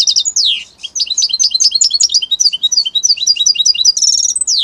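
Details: European goldfinch from Italy delivering continuous song: downward-swept whistles, then quick rhythmic twittering phrases, a brief buzzy trill near the end and another falling slurred note.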